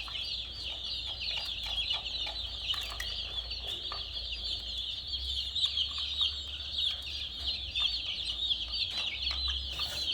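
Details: Chicken chicks, brightly coloured, chirping in a busy chorus of thin high peeps that blend into a continuous shrill chatter, with a faint low rumble underneath.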